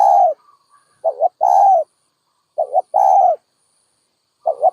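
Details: Dove cooing in a regular rhythm: a long coo, then two more phrases of quick double notes and a sustained coo, ending with another double note.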